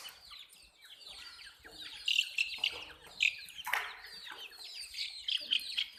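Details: Baby chickens chirping: a flock of chicks gives rapid, shrill peeps that slide downward, quieter at first, then louder sharp bursts cluster in the second half.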